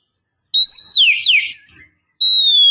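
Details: Female Oriental magpie-robin luring a male: loud clear whistled phrases, a rising note followed by two quick sliding downward swoops, then a pause and a long level whistle, with no other sounds.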